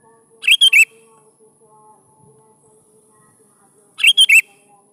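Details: Sooty-headed bulbul song for coaxing young bulbuls into answering: two short three-note whistled phrases, bubbly and slurred, separated by roughly three and a half seconds of near quiet with a soft hum.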